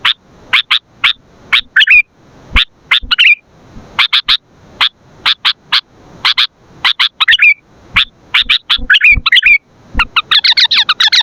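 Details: Sooty-headed bulbul in vigorous voice for luring and training birds: clusters of crisp chips and short slurred warbles, then a dense, fast twittering burst near the end.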